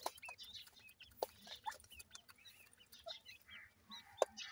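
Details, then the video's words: Grey francolin chicks being fed make soft, high, wavering peeps spaced irregularly, with occasional sharp clicks and a quiet background hiss. "grey francolin chicks nice voice"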